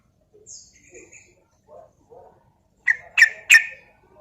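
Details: Sooty-headed bulbul, a Javan trucuk, in a clear recording used as a lure and tutor to stir other birds into singing; soft scattered low notes, then three loud, sharp, rising notes in quick succession near the end.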